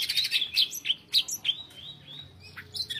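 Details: Greater green leafbird in lively song: fast, bright chirps and sharp whistled notes about twice a second, then softer sliding whistles and a final burst of chattering chips.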